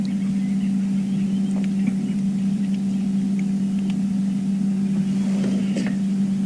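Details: A steady low vehicle engine hum runs throughout, with only faint scattered clicks and no clear animal calls.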